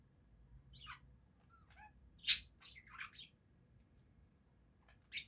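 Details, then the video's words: Several budgerigars give quiet twittering chirps and downward squeaks, with two sharp louder clicks, in an otherwise hushed room. "Пение воонистых попугайчиков"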